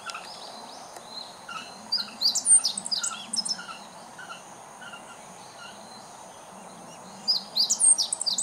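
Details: Meadow bunting, recorded 19 July 2014, singing as though calling to the neighbourhood: a rapid phrase of sharp, high chirps and short twittering notes near the middle, a second phrase starting at the end, over steady low background noise.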